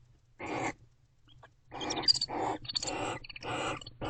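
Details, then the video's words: Barn owls sharing affection in an owl box near midnight. A single rough note, then a rapid run of overlapping raspy, twittering bursts with higher squeaky edges, closely packed. "Barn Owls #AvaAndBeau Expressing Affection, Varying Vocalizations."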